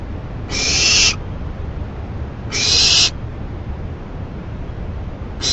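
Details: Owl shredding a delivered rabbit late at night, 28 May 2012; two rough hissing screeches about two seconds apart, a third just starting at the end, over soft low rumble.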